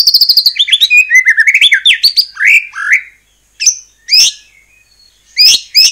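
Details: White-rumped shama (murai batu) singing, played to provoke other shamas into singing: a rapid high stuttering trill sliding down into fluid whistled phrases, then separate sharp upward-flicking notes after a short pause.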